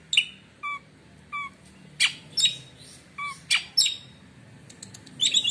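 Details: Oriental magpie-robin, song claimed to hush rival magpie-robins: short whistled notes and sharp downward chips spaced about half a second apart over a low background hum.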